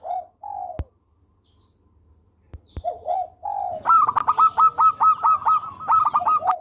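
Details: Melodious local zebra dove in full voice: a few soft, slurred coos, a short gap with clicks, then a long, loud burst of rapid staccato cooing notes.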